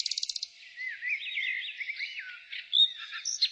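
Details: Singing nightingale in spring opens with a quick burst of about eight high pulsed notes, then slides into looping, slurred whistles and ends with sharper bright notes; soft birdsong fills the background.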